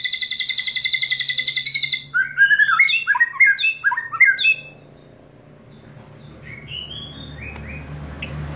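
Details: White-rumped shama of the Medan type, North Bali line, delivering a long cililin trill: a rapid, even rattle of repeated notes for about two seconds, then a burst of fluty, varied whistles, followed by quieter scattered notes in a small room.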